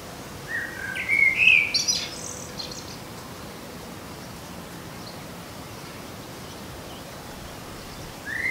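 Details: Garden blackbird song phrase: a soft, low fluted warble rising into a bright, high-pitched squeaky twitter within the first two seconds, followed by quiet, then the start of another phrase at the very end.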